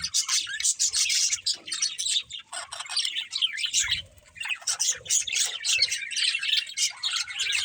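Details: Playing budgerigars chirp and squawk in a busy, scratchy chatter of rapid high notes, with a quieter lull around four seconds and faint low thuds.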